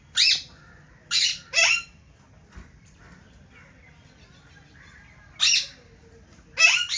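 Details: Indian ringneck parakeets in an aviary, a pair that has found a nest: loud, harsh, broadband squawks in short clusters separated by silent gaps of a second or more.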